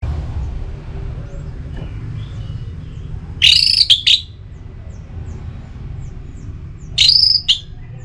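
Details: Orange-headed thrush from Singaraja, North Bali, singing in breeding condition to call a rival: two short, high whistled bursts with quick slurred notes, a few seconds apart, over a low steady hum.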